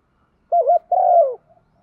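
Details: Calling decoy spotted dove, thúc vấy style with one ending: a rapid wavering two-note opening, a short pause, then a sustained mellow coo that drops at its close; quiet soft notes trail afterward.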